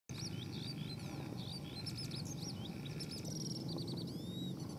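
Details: Skylark kept as a decoy and fighting bird from Phú Yên, Vietnam: a rapid string of varied high chirps, slurred whistles and short trills, some sweeping upward, over a steady low rumble of background noise.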